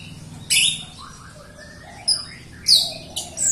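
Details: Captive Jalak Rio myna singing for other Rio birds to learn from; sharp loud high notes separated by soft, wavering lower whistles, about four strong bursts over a faint hum.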